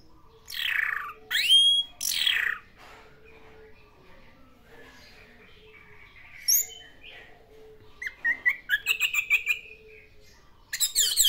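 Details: Orange-headed thrush singing energetically in the classic style: loud rising whistled sweeps and buzzy phrases separated by quiet pauses, ending with a fast series of sharp chattering notes.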